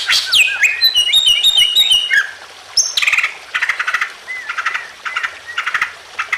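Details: Greater green leafbird singing emotionally to spur other birds to call: rich high warbling with twittered notes, then bursts of harsh scratchy chatter mixed with short slurred whistles.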